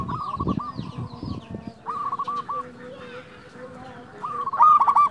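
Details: Loud local zebra dove singing to lure and excite other doves: low muffled thumps at first, then scattered rolling coo phrases ending in a loud, rapid pulsed burst; background chirping from small birds.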